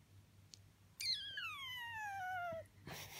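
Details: A 12-year-old male Senegal parrot gives an attention-seeking sigh, a newer noise he mostly makes when he wants something he can't have: one drawn-out tonal sigh of about 1.5 seconds gliding downward, over low room hum and a brief rustle.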